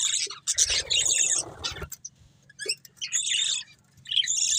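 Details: Breeding pair of budgerigars: loud scratchy chatter bursts alternate with short quiet spells, a muffled rustling sound under the first burst, and a low hum behind.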